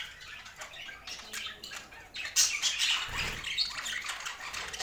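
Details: Budgerigars eating healthy food, soft twittering chatter that grows louder midway, mixed with wing flutters and a low thump around the middle.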